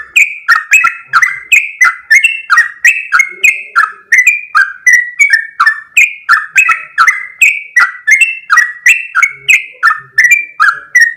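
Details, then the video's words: Sooty-headed bulbul pouring out a long, rapid song: dense, evenly paced bursts of bubbly whistles, each note clicked on and sliding down, about three per second, sustained throughout without pause. "full suara Trucuk gacor ropel panjang"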